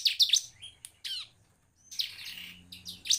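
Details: Bar-winged prinia (Prinia familiaris), song: stimulating other prinias to sing.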